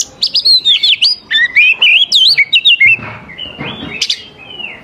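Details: Oriental magpie-robin lure song for young wild birds, a fast run of loud wavering whistles rising and falling, then softer sustained thin notes at the end.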